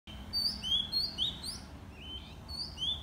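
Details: White-rumped shama singing in the morning: a quick series of short, high, rising whistled notes, some with sharp upslurred ends, delivered nearly continuously over a soft low background hum.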